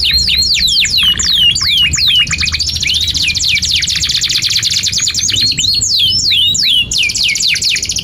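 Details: Singing canary giving long 'gacor' song, 'cuit cuit nembak' style, meant to teach young canaries: sharp downward swoops, a lower rattling trill, then dense high buzzy trills and fresh swooping notes, continuous and loud.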